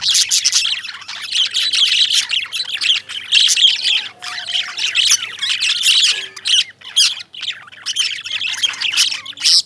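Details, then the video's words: A flock of lovebirds keeps up an unbroken stream of piercing high chirps and squeaks, loud and overlapping, in rapid irregular bursts. "Love Birds Chirping"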